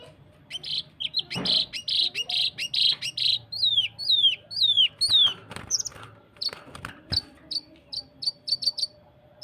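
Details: Cucak kinoi training song with rapid 'tembakan rapat' variation: fast series of short chirps, then several downslurred whistles, sharp clicks and a burst of quick high ticking notes, dense and varied, over a faint low hum.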